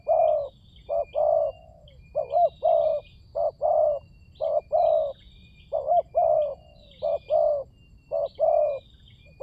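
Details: Spotted dove lure calls in a fast, busy run of short coos and looped notes, nearly continuous, with faint high chirps of other birds above.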